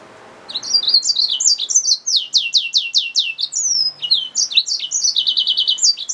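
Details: Yellow-fronted canary mule song: a lively jumble of high chirps and downward-sweeping notes, a long falling whistle midway, then quick repeated trilled notes.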